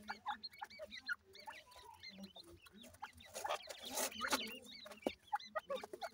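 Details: Partridge chicks playing produce busy, high, upswept and arched chirps, many overlapping. A brief rustling burst occurs mid-way, with a few sharp clicks.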